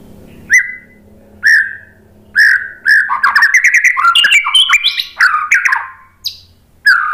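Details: White-rumped shama song, used as a lure to prompt other birds to answer: several separate whistled phrases near one pitch, then a fast run of varied rising and falling whistles and chirps, closing with a lone whistle.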